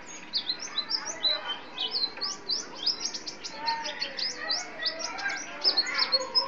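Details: White-eye from a community songbird contest, singing rapid high chirps and short rising twittered notes in a dense, continuous run, with faint speech in the background.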